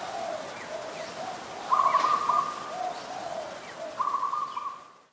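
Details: Adult zebra dove recorded at Ubon Ratchathani, Thailand, on 28 December 2020. It gives two bursts of beaded, staccato trilled cooing at a mid pitch, about two seconds apart, over a soft lower murmur and faint background chirps.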